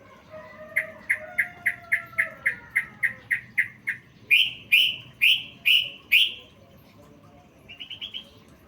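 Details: Filled song of a yellow-vented bulbul for songbird training: a quick string of even chirps over a low whistled glide, then louder, bright, falling notes, and a short soft trill at the end.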